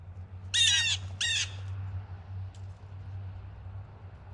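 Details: Blue jay at a snowy backyard feeding spot on Christmas Eve morning, 24 Dec 2024, where jays scream at predators. It gives two harsh, raspy squawks about half a second apart over a steady low hum.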